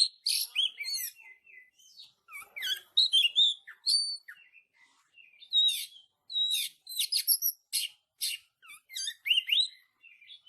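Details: Oriental magpie-robin training song for caged birds, close-packed 'tembakan rapat' style: fast alternation of hard clicking bursts and short upslurred whistles, phrases repeating with tiny gaps throughout.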